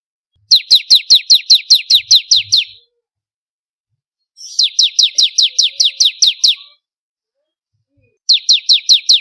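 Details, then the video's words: Ciblek kristal, the bar-winged prinia, used for tutoring cage birds: three bursts of rapid, sharp, descending chips, around ten notes each, separated by silent gaps of one to two seconds. "Masteran suara burung ciblek kristal 4 variasi"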